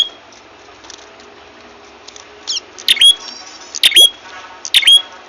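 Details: Ashy tailorbird lure call used for bird trapping: sharp, high, piercing notes ending in a short upswept whistle, coming in a cluster of three calls about a second apart in the second half after a quiet hiss.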